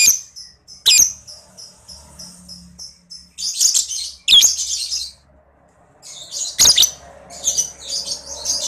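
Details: Lure recording of a lovebird's long ngekek trill meant to stimulate other lovebirds; rapid, ticking high notes run into harsh chattering bursts, with sharp clicks and short silent breaks between phrases.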